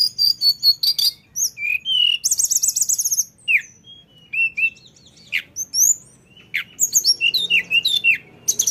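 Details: Lesser shortwing (mountain tledekan) in 'ngeroll' rolling song: high whistled notes, a buzzy rapid trill, scattered falling slurs separated by short pauses, and closing twittery bursts.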